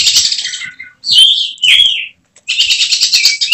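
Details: Kacer, an oriental magpie-robin kept as a contest bird, pours out loud, high-pitched bursts of chattering and sliding whistled notes, three long phrases broken by brief pauses, in 'tembakan' style.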